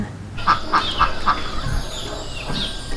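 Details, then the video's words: Domestic duck, described to children as two-legged with a flat bill, eating rice, grains and fish and living in a duck pen; four quick, evenly spaced nasal quacks in the first second and a half, then softer trailing sounds over low background hum. "เด็กๆไปฟังเสียงเป็ดกันเลยค่ะ"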